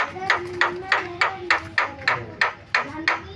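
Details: Javan myna (jalak kebo) repeating a short, sharp note about three times a second, each note clipped and nasal, in a varied singing session.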